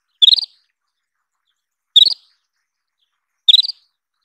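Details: Isabelline wheatear repeating a short rattling call of five or six quick chirps, three bursts roughly one and a half seconds apart, clear and close with no other sounds.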